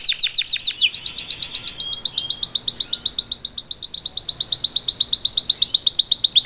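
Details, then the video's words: Salsa canary singing live to teach its fledgling: a fast, even trill of high downward-sweeping notes, steady and unbroken throughout. "Melhor canário salsa cantando para ensinar seu filhote a cantar/salsa canary singing live"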